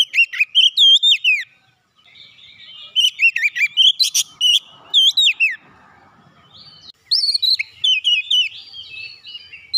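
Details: Agitated magpie-robin, stirred up on purpose, sings loud bursts of varied whistled and chirping phrases separated by brief silences.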